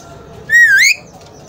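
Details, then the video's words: Alexandrine parakeet, a talking parrot, gives one loud half-second whistled note with bright overtones that dips slightly and then sweeps upward; a quiet hum lies beneath. "Amazing Alexandrine Talking Parrot"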